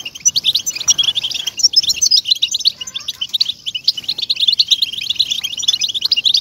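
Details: European goldfinch song used to motivate captive goldfinches to sing: fast, continuous twittering of bright chirps and short trills, high-pitched and tumbling without pause, with faint low tones in the background.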